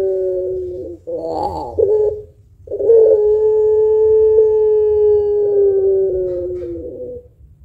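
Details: Long-voiced puter pelung barbary dove, thick kuwok, a lure for other birds: a short coo and a wavering burst, a pause, then a drawn-out level low coo lasting four seconds before a rough ending.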